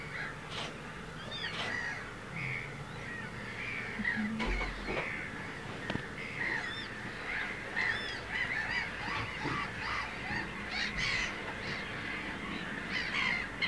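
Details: Two Eurasian coots feeding their small chicks give short, sharp honking calls mixed with thin, high peeping notes repeated through the clip, over a steady background hiss.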